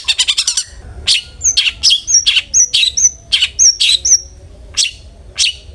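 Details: Long-tailed shrike (cendet) lure sound for provoking aggressive song: a fast rattled burst opens, then sharp high notes, several ending in thin, very high slurred whistles, repeated about every half second.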